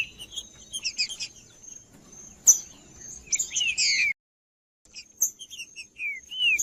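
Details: Green-winged saltator in full male song, played to warm up and stimulate another saltator: bright slurred whistled phrases, some falling, in two bursts split by a brief silence, over a steady high electronic-sounding whine.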